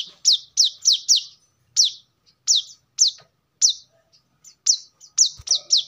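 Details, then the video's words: Brown-throated sunbird song serving as a lure or master for training birds: thin downslurred high notes, first in a tight group of four, then spaced out singly and in pairs. "kolibri kelapa | manggar | wiceh | tidak disangka burung receh segacor ini untuk pancingan |masteran"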